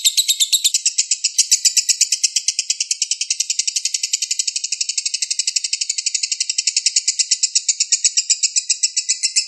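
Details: Balibu lovebird master song for songbirds to learn: a long, unbroken run of rapid, rasping chirps repeated several times a second, high and dense, holding an even pace for nearly ten seconds.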